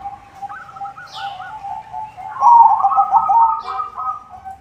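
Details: Lure song of a white zebra dove in full voice: a short run of bubbling trilled coos, then a louder, rougher rolling phrase, over a steady low tone.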